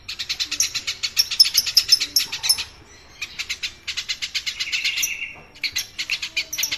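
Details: Eurasian tree sparrow, a rooftop and market bird used as a tutor for songbirds, giving dense runs of sharp, rapid chirps in two long bursts separated by a brief gap.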